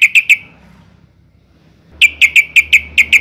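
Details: Female sooty-headed bulbul in breeding condition, calling for males and used to lure them into singing: three loud, sharp notes, a short pause, then a steady series of about eight more, with a faint low hum.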